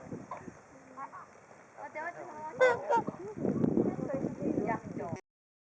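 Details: Whooper swan flock at Hakuchodai Sebat near Onuma and Konuma, waiting for food; rapid overlapping honks and trumpeting calls, several per second, growing busier and louder toward the end, over a low rumbling background.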